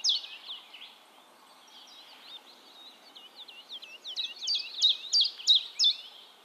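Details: Common chiffchaff singing in Heemskerk, the Netherlands, recorded with a RØDE VideoMic: high, sharp, down-slurred notes repeated about three per second, faint at first and growing louder over the last two seconds.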